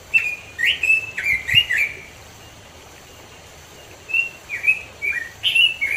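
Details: Robin singing wild in the mountains of East Java, Indonesia, used as a lure to get a silent robin to sing: a run of bright whistled, warbling phrases, a two-second pause, then a second burst of rising and falling notes.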